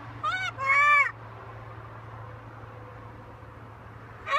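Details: Pet macaw talking while hanging out on a balcony: two loud, harmonic, wavering utterances in quick succession, then a long quiet stretch with a steady low hum, and another call starting at the very end.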